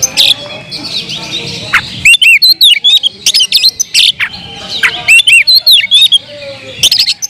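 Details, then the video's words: Oriental magpie-robin giving loud kemrayak song meant to provoke rival magpie-robins: harsh, scratchy bursts opening into a rapid series of ringing, curved whistles and clicks, repeated in lively, closely packed phrases. "suara kicau burung Kacer kemrayak biar kacer lain konslet"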